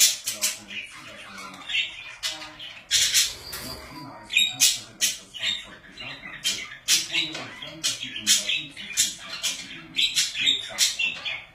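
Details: Pet budgerigars in lively conversation: a long stream of sharp, rasping chirps and squeaky warbles, several per second, with occasional louder harsh squawks standing out.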